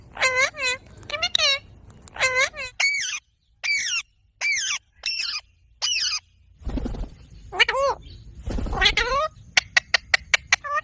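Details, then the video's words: Green ringneck parrot kept as a pet, voicing harsh harmonic squawks in paired bursts, then longer nasal screeches and rising-falling calls, finishing with a rapid string of short clicks; a low thump is heard midway. "Green Intellijent Ringneck Parrot Video 🦜| Amazing Talking Parrot"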